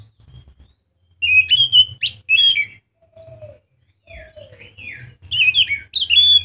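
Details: Lively scaly thrush song meant to set other thrushes singing: short bursts of bright warbled whistles, broken by pauses and two lower, softer falling whistles midway.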